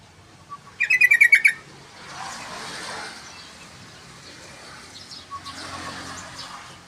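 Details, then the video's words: Yellow-vented bulbul, played as a lure and tutor recording: a short bubbly phrase of rapid, chattering, slightly falling notes lasting under a second, then a faint hiss and distant rumbling traffic-like background. "Pancingan Trucukan panjang❗Masteran Trucukan Gacor"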